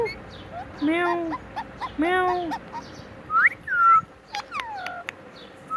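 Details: Pet talking parrot repeating the word "Mitthu": two voice-like phrases a second apart, followed by rising and falling whistled squeaks and sharp clicks.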